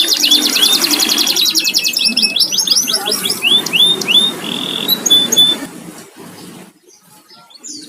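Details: Pet canary kept at home, delivering rapid trills and upslurred whistles for about five seconds, then fading into quiet with only faint background noise.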